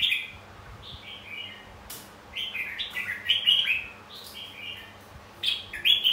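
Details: Red-whiskered bulbul fighting song used to stimulate singing: rapid series of slurred, musical whistled notes, several descending phrases strung together, with short clicks between bursts.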